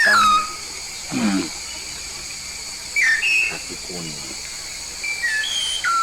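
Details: Yellow-faced myna from Papua, singing actively: clear whistled notes, some sliding down and some rising, in short separate bursts, with a man talking in between over a steady background hiss.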